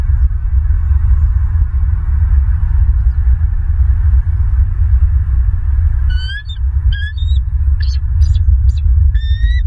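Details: Bald eagles at a nest in southwest Florida, filmed on a live nest camera on 21 January 2023. Constant low wind rumble throughout, then from about six seconds a series of high, thin, rising whistled chirps in short bursts.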